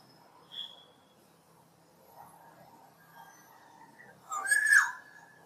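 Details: After a faint thin note and a pause, a black-naped oriole (Oriolus chinensis) delivers one rich, loud whistled phrase near the end.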